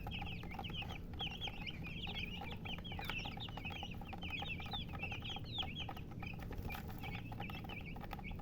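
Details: Chicken chicks peeping in a steady, overlapping chorus of short, high, rising-falling chirps from several birds, packed almost continuously, over a low rumbling background with scattered soft taps and clicks.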